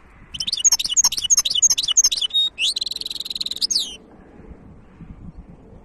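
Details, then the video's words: Singing European goldfinch hybrid, recorded 2023: rapid high twitters and chirps, then a short nasal buzz and a dense trill, ending after about four seconds and followed by quiet low background noise. "تغريد وابداع هجين الحسون"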